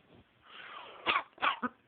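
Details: Macaw coughing indoors: after a faint hiss, three harsh, raspy coughs, the last shortest, each a broad burst with a buzzy throaty edge.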